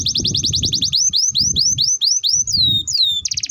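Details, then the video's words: Canary song meant to teach young canaries: a fast series of rising whistled notes slows into spaced upslurs, then drawn-out descending whistles, ending in a quick buzzy trill; faint low rumble beneath. "Pancingan Burung KENARI Gacor Panjang || Masteran Kenari Paud"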